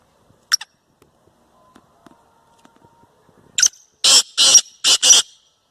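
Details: Indian black francolin in India. A few faint clicks and a low hum, then a loud series of harsh, rasping, broadband notes. There are about five notes in quick succession near the end, the last four close together.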